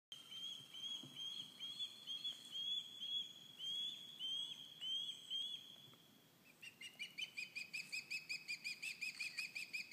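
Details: Ospreys, recently fledged young and adults together near the nest at Cleawox Lake, calling loudly one morning: runs of high, thin, upslurred whistles, then from about seven seconds a quicker series of sharp repeated whistled notes, roughly three each second.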